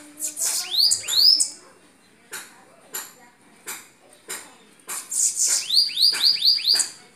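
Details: Several bananaquits singing in northeastern Brazil: high curving whistled sweeps open the recording, then sharp clicks or taps at intervals of about a second. A fast run of rising-falling sweeps comes near the end.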